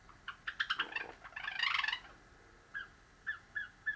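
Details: Song practice by a domestic cream Java sparrow: a scratchy, jumbled cluster of chattering notes, then several soft, spaced piping calls.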